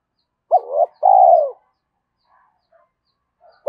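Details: Spotted dove coo for stirring decoy birds: one phrase of a hooked short note, a rising note and a long falling coo, then a quiet gap with faint murmurs before the next phrase begins.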